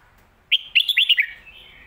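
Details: Red-whiskered bulbul singing a popular song phrase in the styles called phat kuay tiao and mae bot: one quick burst of five loud, clear whistled notes that bend up and down, then quiet.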